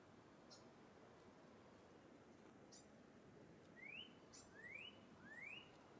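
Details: Northern cardinal (Cardinalis cardinalis), a red bird singing high in treetop branches to call its mate: a few thin high chips, then three clear rising whistles roughly one per second, against a steady background hiss.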